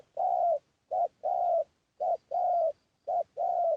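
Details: Spotted dove lure call meant to excite wild doves, three clean paired phrases of soft low cooing, each short note followed by a longer smooth coo, about one pair per second.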